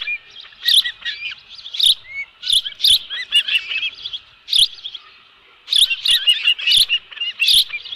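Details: Dunrovin Ranch osprey nest on 11 July 2018, live fish present. Bright, high chirping phrases of rising and falling whistles come in groups, with a calm pause before the last flurry and a few soft taps.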